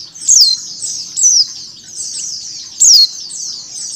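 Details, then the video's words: Female mountain white-eye calling, mixed with a flock's calls to prompt birds to open their beaks; high thin descending whistles repeat every second or so over a continuous high twittering chorus. "PLECI BETINA ngecal + suara pleci ombyokan"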